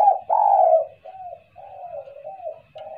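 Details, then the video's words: Spotted dove for luring: two loud low coos followed by a run of softer wavering notes, with a faint steady hum. "SUARA TEKUKUR,,, buat pancingan suara kuk2...."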